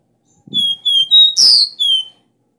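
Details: Copper seedeater (caboclinho) song of the strong "dó ré mi" three-note style, used to train a caged bird: clear pure whistled notes, a rising step, a buzzy burst, then a final falling whistle, in a quiet setting.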